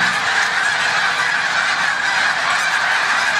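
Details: Snow geese lifting off at Montezuma, New York, on March 7, 2022, near the migration peak; loud, close, crowded honking with no pauses, bright and harsh in tone.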